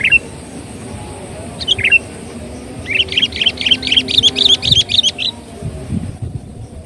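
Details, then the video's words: Sooty-headed bulbul song played as a bird lure: a few isolated chirps, then a rapid run of about a dozen bright, wavering notes, then quiet. Low rumbling background. "suara pikat burung KUTILANG gacor"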